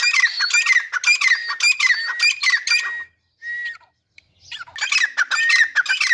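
A pair of grey francolins calls back and forth in loud, harsh, ringing phrases, about two a second, with a short pause before the calling resumes.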